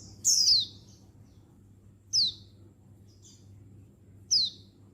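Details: Female untulan Oriental white-eye, a settled bird, calling males; three loud, piercing, downward-sliding chirps spaced about two seconds apart, one faint short note between, low hum underneath.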